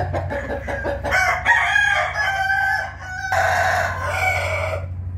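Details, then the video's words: Rooster crowing in the morning, recorded 8 April 2021: overlapping harmonic crows, a rough rising phrase then a long sustained one after a brief break, over a steady low hum. "nghe tiếng gà gáy buổi sáng ò ó o"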